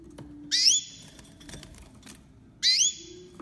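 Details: Crested canary female crossed with a male green singing finch of Mozambique, a 2020 hybrid: two high, upward-sweeping chirps roughly two seconds apart, each ending in a short level whistle, over a quiet low hum.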